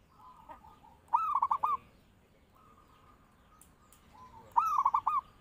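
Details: Zebra dove song for luring and training birds. Two cooing phrases about three and a half seconds apart, each an upslurred note followed by quick rolling pulses, with a faint thin steady tone between them.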